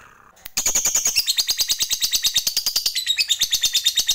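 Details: Lovebird giving a long chattering "ngekek panjang" call, played as a lure to make other lovebirds sing: after a brief quiet start, a dense, rapid run of harsh, high chattering notes, about three per second, continuing without pause.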